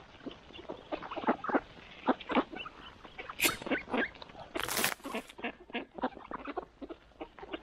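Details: Mallards gathered for morning feeding give dense, overlapping short nasal quacks and chatter. Two brief broadband rushing bursts break through, the longer one around two-thirds of the way in.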